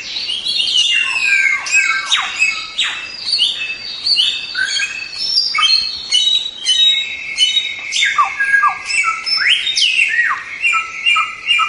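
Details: White-rumped shama song for tutoring other songbirds: a long, rich, varied stream of clear whistles, sharp downward sweeps and buzzy trills, phrases tumbling quickly one after another with brief gaps, high and bright throughout.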